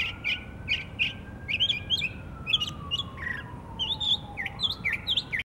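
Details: Northern mockingbird, Savannah, Georgia, 12 October 2024, pours out rapid repeated chips and squeaky whistled figures in shifting groups while a faraway siren slowly sweeps down then rises; recording ends abruptly.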